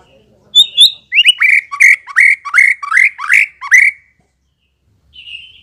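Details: Shama (white-rumped) song played to coax birds into answering: a short high whistle, then about nine loud, buzzy, descending notes in a steady series, ending with a soft high note after a pause.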